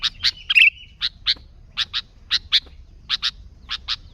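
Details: Sooty-headed bulbul calling vigorously, unmixed with other species, used to lure bulbuls: harsh paired chips repeated about every half second, with one short buzzy squeak early on.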